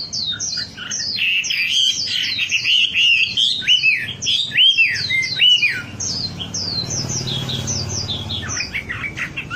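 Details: Wambi song played to coax caged birds into singing: quick high chirps over a line of downward-hooked whistles, then scattered thin notes as the song fades.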